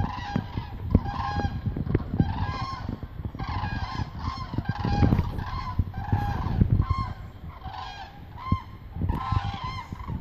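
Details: Flock of hundreds of common cranes heading south on autumn migration above Meerssen, the Netherlands, 2:04 pm on 9 November 2014; loud, trumpeting calls repeated in rapid bursts from many birds, over a steady low rumble.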